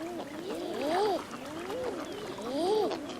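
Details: Common Eiders at the beginning of May on Frederiksö, Pea Islands east of Bornholm in the Baltic, during mating while females seek nest sites: soft, dove-like rising-falling 'ah-ooo' coos about once a second, several birds overlapping, faint water behind.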